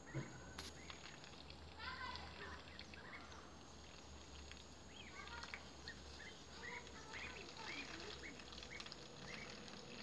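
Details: Ducklings giving scattered high, thin peeps, some short and some slightly rising, over steady broadband outdoor noise with a low rumble and a faint constant high whine.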